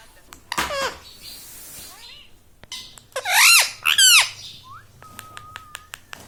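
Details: Indoor pet parrot that talks, saying "Mummy" and "Papa"; bursts of harsh, strongly modulated vocal sounds with swooping pitch, two loud wavering phrases in the middle, then a steady thin whistled tone amid light clicks.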